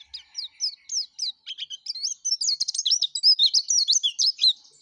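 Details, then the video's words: Energetic song of a yellow-breasted white-eye: looping, wavering whistled notes that start spaced out and quicken into a fast, continuous warble. "suara kicau plece dada kuning gacor"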